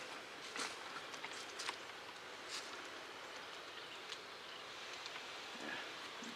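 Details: Only a steady outdoor hiss with a few scattered clicks and rustles is heard, and no clear animal calls.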